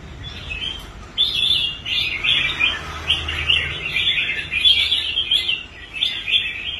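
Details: Caged red-whiskered bulbul, once a competition bird that quit fighting, later bought and rehabilitated, now performing well on the contest rack; busy warbled chatter of quick bright notes runs almost unbroken after a quiet first second.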